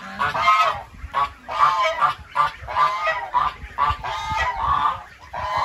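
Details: Goose honking in a series of loud, harsh, nasal honks with rich harmonics, about ten calls in under six seconds, coming in quick irregular bursts with short gaps between them.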